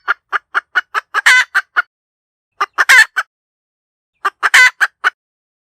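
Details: A hen cackles in three bursts: runs of short, evenly spaced clucks, each run building to one long, harsh, rasping squawk, then a few more clucks. Clean quiet gaps separate the bursts, with no other sounds.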